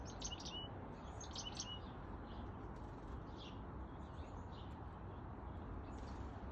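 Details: Black-capped chickadee at a backyard bird feeder in NW Calgary, Alberta, 8:36 am, 21 July 2022, giving a few thin, high chips and short notes, mostly in the first two seconds, over a steady low rumble of wind or traffic.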